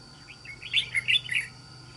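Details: Red-whiskered bulbul, a trapped wild bird with an island-forest voice, giving one quick burst of bright liquid warbling notes that rise and fall, against steady electrical-sounding background tones.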